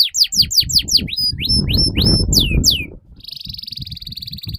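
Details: Canary in long continuous song, played to coax young canaries into singing quickly: quick swooping chirps rising and falling, then a sustained buzzy rolling trill, over low rustling and thumps.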